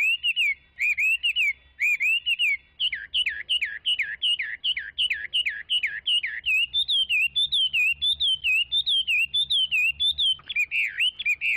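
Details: Chinese hwamei in long, varied song: bouncy whistled notes give way to a rapid series of deep-dipping slurred whistles, then higher rolling phrases. A low background hum is present.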